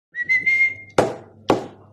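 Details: A pet cockatiel (Nymphicus hollandicus) whistles a long, steady note from the Addams Family theme tune, followed by two sharp snaps; a mimicked tune.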